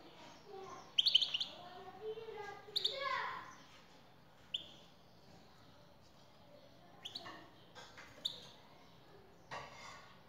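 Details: Male European goldfinch answering a female's call with short, high twittering bursts. The bursts are scattered irregularly, with some fainter lower sounds and a few clicks in the background.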